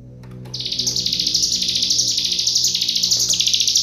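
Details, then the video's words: Hill Prinia recording used as a tutor song for training other cage birds: a dense, high, buzzy rattling trill running almost without pause, slightly wavering in pitch, over a faint low hum. "Masteran Full Nembak Rapat Burung CIGUN"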